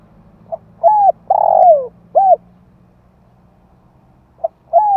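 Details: Spotted dove calling in 2021 to stimulate decoy birds and train young ones: a soft note, arched coo, long grating downslurred croo and short coo, over a steady low hum, with the next phrase beginning.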